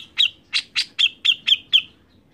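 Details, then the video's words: Seven harsh, explosive notes from a grey-cheeked bulbul, evenly spaced about a quarter second apart, each with a ringing tone. The bird sings constantly and is used to encourage other birds to sing. "CUCAK JENGGOT GACOR Untuk Pancingan bunyi"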